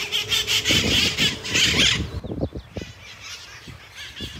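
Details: Red-masked parakeets in Kapiolani Park, Waikiki, Honolulu, Hawaii, July 2024: about two seconds of loud, harsh, rapidly repeated screeching squawks, then quieter scattered calls among low knocking thumps.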